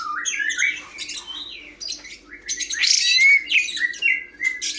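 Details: Greater green leafbird producing a varied, mimic-like song of slurred whistles, harsh squawky bursts and thin high notes, with a low steady hum throughout.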